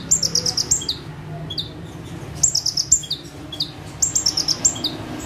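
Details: Ciblek or prenjak tebu, the bar-winged prinia, calmly perched and singing 'full tembakan': bright high trilled bursts of sharp pulses, each trailed by short falling whistles, recurring about every one and a half seconds over a soft low hum.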